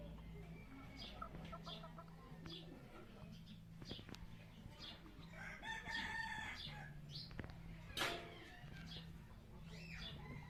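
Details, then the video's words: Spotted junglefowl, second-generation (F2) bird, praised for a beautiful voice, gives a harmonic crowing phrase mid-clip over a steady low hum, with scattered clicks, rustling and faint background noise. "ไก่ป่าด่างF2 Qaib txaij txuam 2 zoo nkauj heev"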